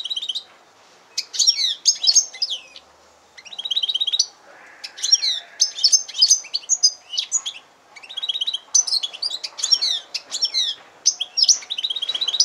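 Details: Yellow-fronted canary and canary hybrid singing: bright, high twittering phrases of rapid trills, chirps and buzzy notes, delivered in bursts of a few seconds separated by short pauses, with a faint low hum beneath.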